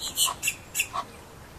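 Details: Egyptian goose making four short, harsh, squeaky notes in quick succession, each rich in overtones, followed by quiet.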